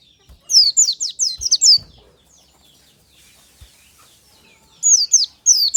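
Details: Morning song of a white-eye in a natural lure recording: a fast string of high, sharp, descending chirps lasts over a second, then a quiet pause, then another short burst begins.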